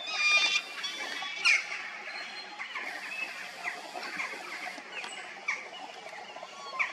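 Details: Resident peregrine falcons at a quarry, stained pink by iron oxide in the rock, give harsh, raspy, high, hoarse screams repeated roughly once a second over a steady background hiss.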